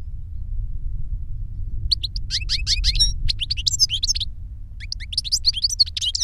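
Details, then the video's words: European goldfinch singing reclamo song in captivity; a novice learned this master's song from a CD recording. After two quiet seconds, rapid tinkling twitters and chattering trills in two bursts over a low hum. "Jilguero maestro cantando reclamo y enseñando a otro jilguero novel"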